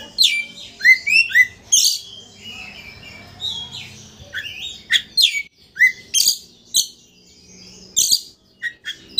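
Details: Rich, varied song of a vocal Oriental magpie-robin, played to excite a rival until it spreads its tail: rapid slurred whistles, trills and warbles interleaved with loud harsh rasps, the phrases tumbling on for about nine seconds.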